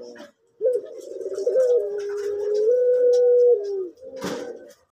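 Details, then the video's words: Captive male orange-coloured collared dove of the pelung type, noted for a soft voice, gives one long, smooth, low coo held for about three seconds with slight steps in pitch, followed after a brief pause by a shorter, softer coo. "Puter Pelung Orange Jantan Suara Empuk"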